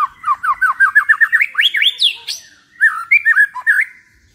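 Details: White-rumped shama song used to provoke a kept bird into singing: a fast series of clear, slurred whistled notes rising in pitch, a pause, then lower warbled phrases.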